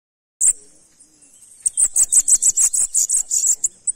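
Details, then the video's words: Saffron finch singing. One sharp high note is followed by a rapid run of about a dozen thin, very high, clipped notes delivered in quick succession. "Sibite ROXINO Cantando"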